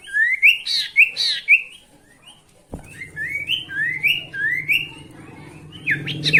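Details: Sooty-headed bulbul song intended to make rival birds sing: rising whistled notes repeated rapidly, a brief lull, then another run of upward-sliding whistles over a low droning hum and a sharp click.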